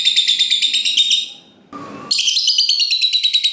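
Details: Lovebird in long ngekek trill: a rapid, evenly pulsed high buzzing rattle, broken by a brief pause, then resuming just as fast and steady.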